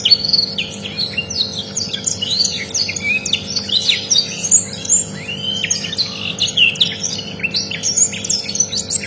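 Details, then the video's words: Rare canary song used as a tutor recording: a rapid, varied run of high chirps, upward and downward whistled sweeps and short trills with few pauses, over a steady low electrical hum. "MASTERAN SUARA BURUNG KENARI LANGKA"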